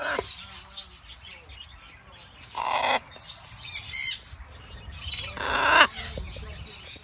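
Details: Baby macaw shares its brunch with a friend, letting out three harsh, grating squawks spaced roughly a second or more apart, the last one loudest and longest, over quiet low background noise.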